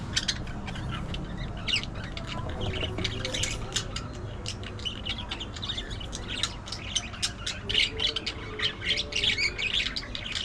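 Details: Budgerigar chatter runs throughout, quick thin chirps and clicks in irregular flurries, growing busier toward the end, against a noticeable low background drone.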